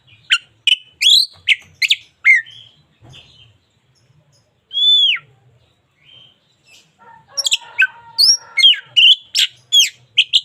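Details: White-rumped shama of local Indonesian stock, singing as training material: quick varied notes, a lull with one loud arched whistle, then a fast busy stretch of chips and sweeps repeated about twice a second.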